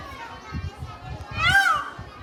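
A peafowl gives one loud, wailing, rise-and-fall cry lasting under half a second, over a background of children playing and chattering.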